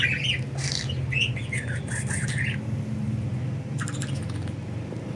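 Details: Free-flying budgies chatter in quick scratchy chirps for the first two and a half seconds, then only faint clicks sound above a constant low rumble.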